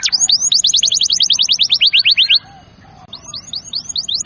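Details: Canary song played to get young and lazy canaries singing: a quick run of descending chirped notes, a short silence, then slower hooked notes repeated.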